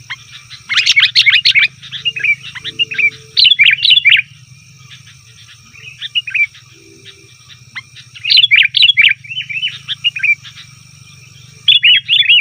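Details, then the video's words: Lure recording of a sooty-headed bulbul's noisy call for catching wild birds: four separate bursts of loud, fast chattering and bubbling notes, quiet gaps between, with a continuous low hum and faint high tone. "suara burung kutilang ribut||ampuh untuk panggilan kutilang di hutan,kutilang di rumah pasti Nyaut"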